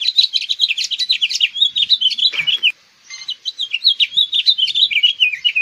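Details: House finch singing a long, rapid, jumbled warble of high chirped and slurred notes, the stream pausing briefly midway before resuming with similar twittering phrases; no other sounds.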